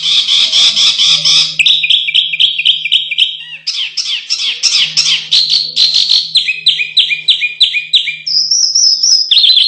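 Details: Canary singing on a masteran track for contest birds, a long varied sequence of rapid trills, buzzy rattles and repeated chirp series shifting in pitch, with a faint low hum in the background.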